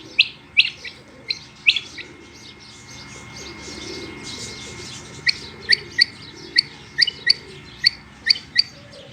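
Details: Female rain quail, also called harlequin quail or batair, calling: sharp high clipped notes in quick pairs and single bursts, irregular at first, then repeating steadily about once a second, with a faint steady tone and low rural background.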